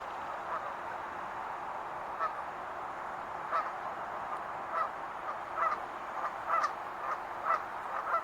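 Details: Wild geese honking, nasal calls repeating at uneven intervals of roughly one second and growing louder toward the end, over a steady hiss of background noise.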